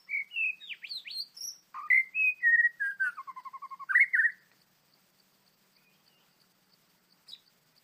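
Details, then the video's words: White-rumped shama, described as an angry bird being trapped in the wild, gives a rich run of clear whistled phrases, rising and falling, with a quick descending trill of repeated notes, then near silence with faint ticks. "Birds White-rumped shama: Trapping A Angry Bird, Birdsong Chirping In The Wild"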